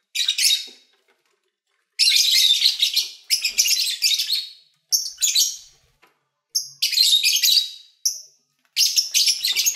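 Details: Captive lovebirds chattering while eating and playing; dense buzzy twittering bursts, each about a second long, separated by brief silences, mixed with thin rising squeaks.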